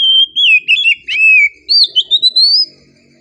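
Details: Oriental magpie-robin (kacer) singing a relaxed song: a run of clear whistled notes, a long wavering whistle, then quick rising slurred phrases that climb higher before stopping.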